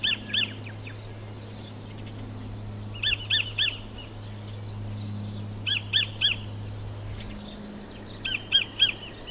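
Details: Kotare, the New Zealand kingfisher, calling in three bursts of three or four sharp, chattering notes spaced a few seconds apart, with a steady low hum underneath.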